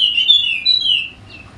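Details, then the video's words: Brief phrase from a golden-headed Wallacean white-eye of Sumbawa, meant to coax idle birds to sing: a few high sliding whistled notes, slurring downward and then fading. "Pancingan Khusus Untuk Burung Pleci Wallacea Yang Malas Bunyi Agar Rajin Bunyi Gacor!!!"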